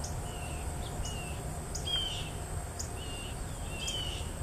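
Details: A juvenile Mississippi kite, during feeding, gives thin, high, slurred whistles, about five in four seconds, over a steady low rumble and a faint high insect hum.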